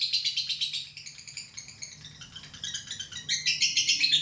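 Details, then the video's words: Lovebird in long ngekek trill, rapid scratchy chattering notes that shift and waver in pitch, quieter mid-phrase before swelling louder and shriller toward the end. "LB ngekek panjang"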